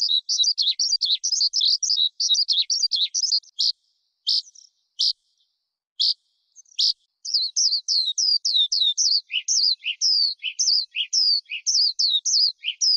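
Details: Skylark song, recorded for luring wild birds and training young birds: fast, twittering high phrases, a near-silent stretch with a few isolated notes, then renewed whistled, slurred phrases mixed with lower chips.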